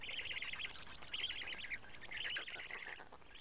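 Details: Feeding time at a Karula black stork nest, 31 May 2017 shortly before 13:00, as two big fish are brought and the chicks take pieces. Continuous high, wavering chatter in rapid pulsed phrases comes with a slight background hiss.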